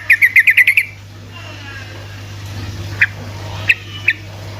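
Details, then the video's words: Sooty-headed bulbul in gacor ropelan singing, aimed at coaxing reluctant bulbuls to sing: a rapid string of about seven sharp repeated chirps, then a long gap with a few scattered single notes and a low hum. "Trucuk ropelan GACOR🔥‼️ amunisi untuk burung trucukan malas bunyi otomatis langsung nyaut"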